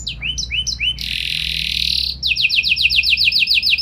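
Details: Canary song with special phrasing to provoke other canaries into answering: three rising whistled notes, a loud broad buzzy roll, then a fast even series of sharp falling notes.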